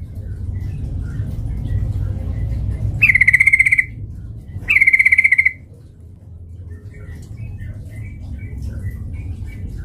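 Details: Yellow-vented bulbul, an actively singing bird used as a lure to provoke fighting: two short, rattling bursts of rapid chattering notes around the middle, over a steady low hum with faint distant chirps.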